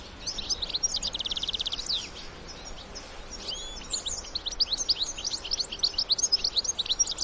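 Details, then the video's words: European goldfinches, adults with their young, in the wild; high, rapid twittering and tinkling trills, a fast run of repeated notes, liquid chirps and short buzzy phrases over faint outdoor background noise. "الحسون وصغاره في الطبيعة مع تغريد وبتبتة خلوية"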